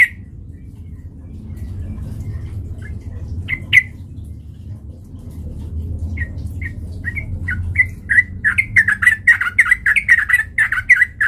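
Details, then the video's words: Sooty-headed bulbul used as a lure to provoke fighting, starting with a few scattered chirps after a quiet, humming start, then building into fast, chattering, bubbly whistled notes near the end. "PANCINGAN trucukan gacor TARUNG MENJADIKAN burung trucuk gacor NYAMBAR"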